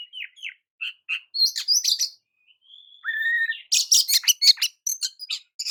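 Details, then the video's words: Oriental magpie-robin singing to provoke other magpie-robins: short downslurred whistles, then scratchy notes, a long steady whistle that drops lower, and a fast burst of harsh chattering chirps at the end. "JENIS KICAU KACER TERAMPUH JADIKAN KACER AMAPAT LANGSUNG TERPIKAT EMOSI!"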